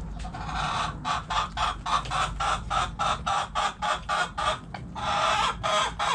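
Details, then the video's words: Hens in a backyard chicken coop give a fast series of loud, harsh clucks, roughly three or four per second, holding steady for several seconds. "Sounds Noises Hens Clucking Roosters Crowing!"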